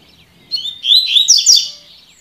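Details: Double-collared seedeater giving its tui tui song, meant for training birds. One continuous, loud phrase of rapid, rolling, whistled and buzzy notes runs for about a second and a half.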